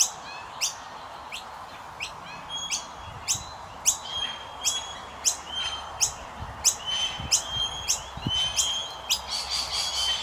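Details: Common myna young begging during feeding: thin, high chirps in an uneven series, growing busier and more overlapping toward the end, with a few soft low thumps beneath.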